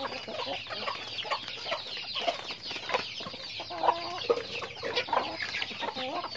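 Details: Chickens during daily activity, giving short, throaty clucks in uneven bursts beneath a steady backdrop of high, busy chirping and peeping from many birds.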